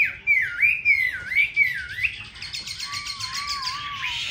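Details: Caged Chinese hwamei from Hanoi, Vietnam, singing loud rich whistled phrases that swoop up and down, followed by a fast buzzy run of repeated notes over a lower steady whistle.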